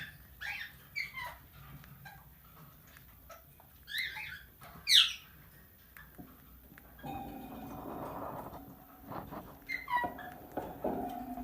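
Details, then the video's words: Tamed talking plum-headed parakeet: a flurry of sharp chirps and one loud rising squeal in the first half, then a broad rustling, clattering noise takes over with a few thin calls poking through. "Talking Plum Headed Parrot"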